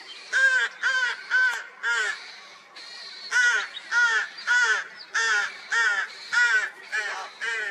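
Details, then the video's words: Rooks with chicks, 16 May 2023, after a cold spring: a steady, insistent run of hoarse, nasal caws, roughly two per second, with one short pause, some calls overlapping slightly. "У грачей появились птенцы"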